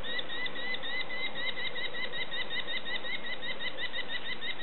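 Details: Young sparrowhawks begging while being fed, giving a continuous run of short, sharp, slightly upslurred chirps in rapid succession throughout, with dull low background noise.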